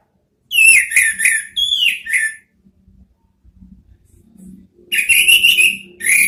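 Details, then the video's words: Orange-headed thrush (anis merah) song used to lure kept birds into singing: chopped whistled phrases with downward-slurring notes, a pause with faint low rustling, then another rich burst of quick notes. "Siulan ANIS MERAH ampuh memancing BUNYI NGEPLONG ¦TERAPI PANCINGAN ¦ KICAUAN NGERIWIK"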